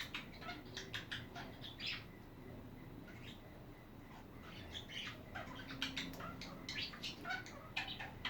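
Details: Chatting budgies in a dense, continuous stream of quick chirps, clicks and warbling twitters, irregular and overlapping, at a low steady level.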